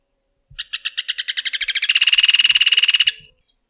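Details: A rufous hornero song with clipped notes that accelerate into a shrill, fast-pulsed trill, holding for over a second before ending abruptly. The background is otherwise silent.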